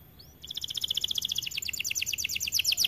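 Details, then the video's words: Vigorously singing white AF canary delivers one rapid, bright, high trill of evenly spaced pulses that grows louder and more rattling over almost three seconds. "Kenari AF warna putih GACORR DORR"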